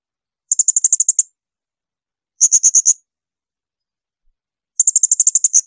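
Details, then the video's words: Blue-crowned hanging parrot delivering 'tembakan melengking', shrill training bursts for other songbirds: three quick volleys of sharp, very high clicking notes, about nine, six and ten notes each, separated by silent gaps. "Masteran tembakan melengking serindit."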